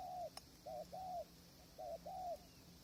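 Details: A spotted dove at a tent-blind decoy setup, strong wind and distant wild birds; clear mellow coos in pairs, a quick quavering note followed by a longer bowed one, plus a single sharp click early on.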